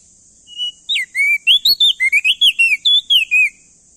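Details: A male ashy tailorbird from NTB gives a loud, rapid phrase of swooping whistled notes meant to stimulate other birds' song, with a steady high hiss running underneath.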